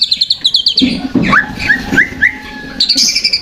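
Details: Provocation lure song of a white-rumped shama: fast high trilled notes, then a few short upslurred whistles over a faint steady hum, trill resuming at the end.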